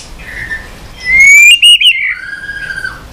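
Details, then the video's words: A single phrase from a white-rumped shama in shama-training audio: one loud, smooth whistle sliding upward and then falling, fading into a soft trailing tone. "Kích Chòe lửa Lên Lửa, hót nhiều, chòe lửa đánh đuôi kích cực nhạy.luyện chòe lửa hót nhiều giọng"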